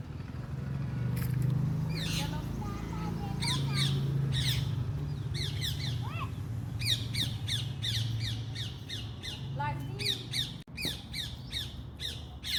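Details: Several parrots squawking in a dense chorus, many short harsh downward calls in rapid irregular series alongside a few whistles, over a strong low rumble of background noise.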